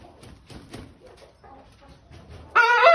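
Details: Wyandotte chickens in Pakistan: quiet scattered clucks and shuffling, then a sudden loud harsh, harmonic squawk closing the last half second.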